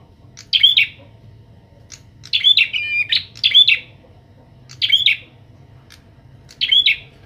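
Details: Young Bar-winged prinia being trained with a kept adult prinia; short, sharp, buzzy chirp bursts spaced irregularly, one or two at a time with gaps of about a second, plus faint clicks and a low hum.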